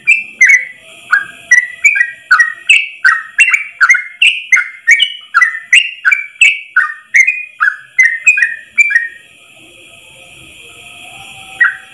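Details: Yellow-vented bulbul's long ropel run for training caged birds: about nine seconds of fast whistled notes with sharp clicks, rising and falling. The song then stops, leaving a steady hum and hiss before a final note.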